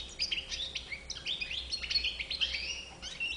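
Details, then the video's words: European goldfinch singing a rapid, tinkling twitter of high buzzy notes and short trills, phrases tumbling together without pause, over a faint steady hum and low background rumble. "chardonneret a bouc blanc"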